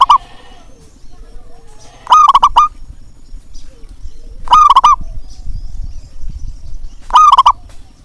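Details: Zebra dove calling to coax reluctant zebra doves into singing: three loud, rolling, trilled cooing phrases spaced about two and a half seconds apart, with a low background rumble and faint softer coos between them.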